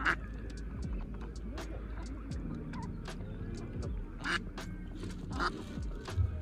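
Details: Female mallard pair with their brood of ducklings: scattered short, nasal quacks, louder ones near the start and after four seconds, with soft ticking sounds and a low background rumble.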